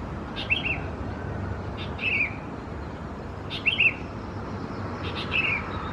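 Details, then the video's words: Young Sooty-headed bulbuls (Pycnonotus aurigaster thais) at Khao Yoi, Phetchaburi, Thailand, June: short bursts of two or three sharp downslurred chirps repeated about every one and a half seconds, over a quiet hiss. "นกปรอดหัวสีเขม่าวัยอ่อน Sooty-headed Bulbul chicks"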